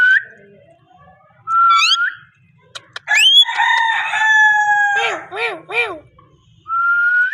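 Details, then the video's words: Parrot delivering a drawn-out, strongly harmonic call lasting about two seconds, resembling crowing, between short rising whistles, with three arched squawks after it. "amazing parrot talking and voice"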